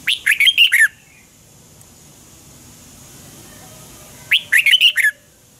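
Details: Red-whiskered bulbul, 'double twist' voice, morning song of 2020 used as lure for training: two lively phrases of tumbling whistled notes, roughly four seconds apart, with a quiet background.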